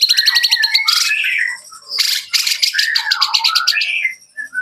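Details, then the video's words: White-rumped shama, Jakarta, singing rapid repeated high notes and buzzy bursts mixed with lower warbled whistles, with faint low background tones. "murai batu super sonik"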